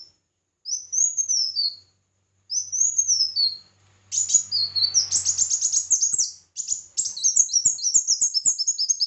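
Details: Competitive singing by red-whiskered bulbul: two arching whistled phrases, followed by a long, dense stretch of quick, sharp high notes repeated several times a second, with a faint low hum underneath.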